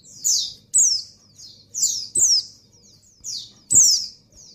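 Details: Breeding female white-eye calling to a male, high piercing downward-sliding notes near the top of hearing, repeated roughly every half second to second, with a low background hum.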